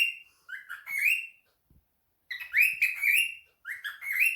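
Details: Pet cockatiel answering a phone call: bright, rising whistled chirps with harmonics, in a burst of several notes, a pause of about a second, then two more quick bursts of sliding whistles. Quiet indoor background.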